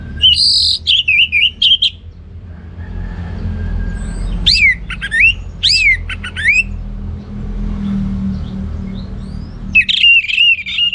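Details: Loud 'ngeplong' singing by a kept orange-headed thrush in North Bali. Clear downward-curving whistled phrases come in bursts with gaps of low rumbling background, and a final strong whistled phrase ends the passage.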